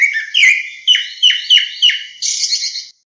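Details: Grey-backed thrush summoning its flock with a short series of four or five sharp, evenly spaced downslurred whistles, ending in a rough, hissy trill. Clean recording.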